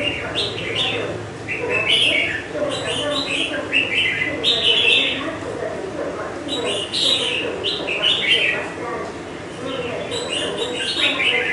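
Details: Young red-whiskered bulbul in part-moulted plumage, kept five months in a cage and noted for its large build and big throat, sings repeated lively warbled phrases of bright whistles, each lasting about a second, across eleven seconds.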